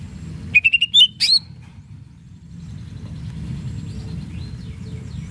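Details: Greater green leafbird singing vigorously to stir rival birds into replying: a quick string of bright whistled notes, rising in steps, closing with a sharp upward flourish, followed by quiet with low background rumble.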